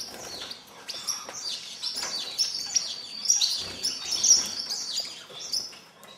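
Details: Star finches feeding in a birdhouse, recorded in 2010: thin, high chirps and short tseet notes overlap almost continuously, with faint clicks and light rustling beneath.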